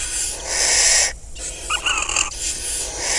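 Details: Wild barn owl pair with five young, nest box in Hula Valley farmland, Israel, May 2020, during mating after prey delivery; steady harsh hissing broken by a short pause and a few thin, wavering twittering notes.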